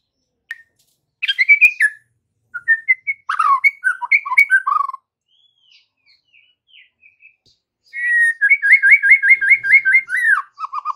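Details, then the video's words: White-rumped shama afternoon lure song to make young shamas respond: sharp whistled phrases and warbles, a quiet spell of soft notes, then a fast rhythmic series of repeated looping whistles. "PANCINGAN MURAI BATU SORE HARI UNTUK TROTOL DAN PASTOL, AGAR MURAI NYAUT GACOR"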